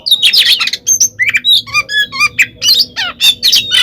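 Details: Oriental magpie-robin, a fighting song meant as bait to provoke rival birds: clear slurred whistles mixed with harsh squawky bursts and quick chirps, each phrase short and separated by brief gaps, over a faint low hum.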